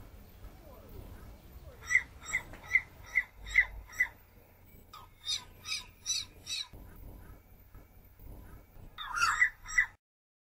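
A turquoise-fronted amazon gives a run of six harsh, even squawks about twice a second, then raspier broadband screeches and a final burst of loud calls.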